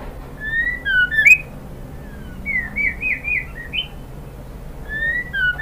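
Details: White-rumped shama female calling the male, a run of short whistled notes with quick up-and-down inflections and a few sharp chirps, loosely spaced over a soft indoor hum.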